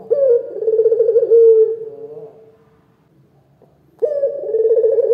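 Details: Local turtle dove calling loudly, a recording meant to provoke other doves into answering: a deep, rolling coo lasting about two seconds that fades out, then silence before another rolling coo begins.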